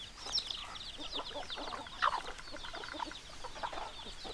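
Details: Flock of hens clucking together, many overlapping short chirpy notes and soft low clucks in a continuous busy chatter, one louder cluck standing out near the middle.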